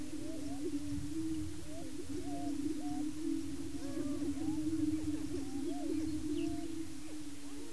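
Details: Male greater prairie chickens displaying and fighting on a lek in Washington County, Kansas, to establish breeding territory. A steady low droning boom runs unbroken throughout, overlaid with scattered rising and falling whoops and short cackling notes from several birds.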